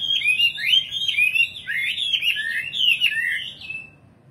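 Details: Nightingale song made of quick, fluty, twisting whistled phrases tumbling up and down in pitch, several in a row with brief gaps, fading out toward the end; little background noise.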